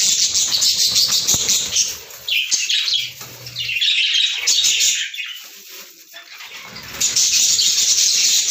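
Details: Shrill, buzzy chattering of lovebirds, a near-continuous wash of harsh high notes that softens around six seconds before swelling loud again, with faint low rumbling in the background.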